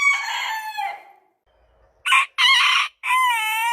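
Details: Morning crow of a rooster, a long harmonic call sliding downward and fading, then after a pause three short loud bursts ending in a sustained steady note.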